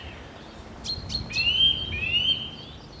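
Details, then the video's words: Eurasian nuthatch singing while building its nest, recorded with a Tascam DR60D II and Sennheiser MKE 600 microphone: three short, sharp notes, then two long, clear whistled notes, each slightly rising, over faint low background noise. "Eurasian Nuthatch - building nest, song/call, behaviour - Kleiber"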